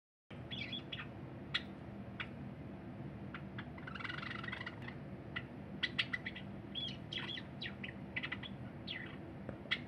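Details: Cinnamon Java sparrow kept as a pet, singing on 23 January 2021 while a silver Java sparrow eats nearby: scattered dry clicks and short bright chirps, with a denser tonal burst midway, over a steady low indoor hum.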